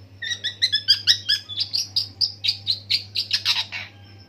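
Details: Long-tailed shrike imitating various birds in an extended rolling song. Quick chirps tumble in an even rapid series, shifting from clipped double notes to smeared, buzzy slurs. A low hum continues throughout.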